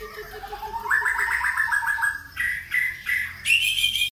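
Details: White-rumped shama delivering a rapid trill that climbs steadily in pitch. A few clear, evenly spaced whistled notes follow, then a high, ringing flourish before the sound cuts off abruptly.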